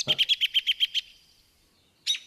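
An American Robin's whinny: a quick, even run of about eight high, sharp notes over one second, a sign of agitation. Another brief bird note cuts in at the end.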